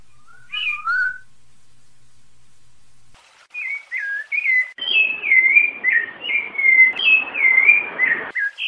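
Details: Rufous-bellied thrush singing the 'piedade senhor' song, with female calls, giving clear, fluty whistled phrases that rise and fall, an opening pair then a quick unbroken run, with a broad hiss midway.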